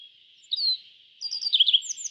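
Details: Yellow bunting from East Asia: one drawn-out high note, a pause, then a fast jumble of bright chirps rising at the end, against a constant high hiss.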